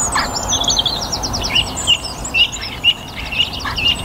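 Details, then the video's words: Evening song of a song thrush in a garden in North Antrim on a sunny spring day: one sharp, high phrase repeated about twice a second in a steady run, with a few lower harsh notes from other birds. "Song Thrush - evening chorus in my North Antrim garden."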